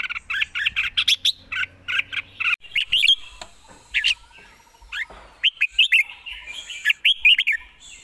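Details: A red-whiskered bulbul, singing at ease with fine phrasing and a fast delivery, pours out a dense, continuous chatter of quick whistled and slurred notes, with a brief pause in the middle.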